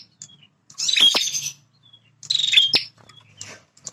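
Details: Male bar-winged prinia singing to hold its territory. Two harsh buzzy bursts with sharp clicks come about 1.5 seconds apart, with faint chirps and a low hum behind.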